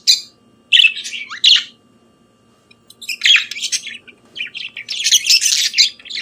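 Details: Pet budgerigar morning song: short squawky chirps, a pause of over a second, then a longer buzzing, chattering warble.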